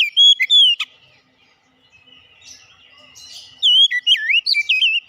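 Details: A couple of short whistled notes from a kacer open, then a silent pause, followed by a lively string of looping, up-and-down whistles.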